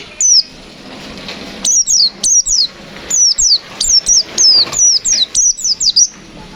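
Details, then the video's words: White-eye (pleci) singing 'ngalas nembak' style: after one opening note, a fast run of about a dozen high, sharply falling whistled notes in quick succession over faint background hiss. "Suara burung pleci Gacor fighter Ngalas nembak, Sobek sobek"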